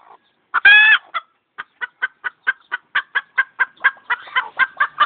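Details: Chicken clucking and screeching: one loud harsh squawk, then a steady run of short clucks about four per second, growing busier toward the end.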